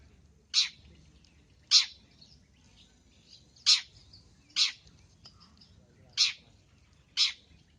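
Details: Long-tailed shrike in a training recording full of varied song content: sharp, harsh single notes spaced one to one and a half seconds apart, six in total, over quiet background hiss.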